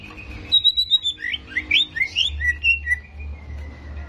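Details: A greater green leafbird's provoking song: a thin held whistle, then a lively sequence of quick, slurred whistled notes swooping up and down, ending in a long, fading level whistle over a soft background hum.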